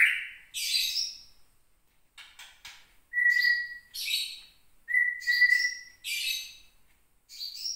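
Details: Caged white-rumped shama from Gunung Leuser, Aceh, a prospective breeding bird kept for nearly a year, singing angrily when provoked: clear steady whistles near the low range alternate with bursts of harsh, buzzy, high notes, phrases every second or so.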